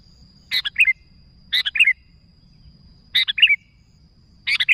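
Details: Sooty-headed bulbul summoning companions with bright two-part calls, a buzzy chip then a liquid whistled flourish, repeated roughly every second and a half over a steady faint whine.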